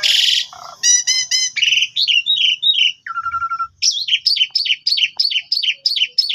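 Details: Black-winged starling singing a full, varied lure song to draw a reply: a harsh burst, quick stacked chips, wavering whistles, a flat steady note, then a rhythmic series of repeated rising-falling squeaky notes.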